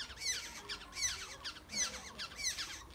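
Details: Black-hooded oriole chicks at the nest during feeding, uttering loud grating begging squawks in repeated pulses just over a second apart, each burst harsh and slightly descending.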